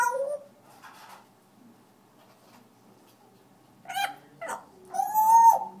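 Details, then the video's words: African grey parrot singing: a short nasal note at the start, then after a pause a few harsh harmonic bursts and a loud drawn-out tonal wail, with a quiet, still background between. "African gray parrot sings"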